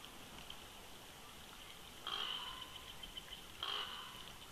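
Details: A pair of bald eagles duet at their old nest snag in winter at Big Bear Lake, California, 22 February 2020: two brief, harsh, chittering bursts about 1.5 seconds apart, over steady high-pitched hiss.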